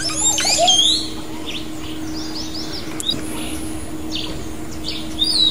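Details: Montezuma oropendolas leaving the nest give high, liquid whistles and quick sliding chirps, loudest in the first second, then scattered notes over a steady low hum.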